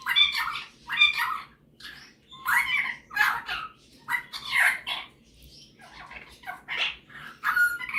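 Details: Male Superb parrot, a pet and talented talker, shows off his singing: loud, harsh, chattering squawks in uneven bursts, with softer twittering toward the end.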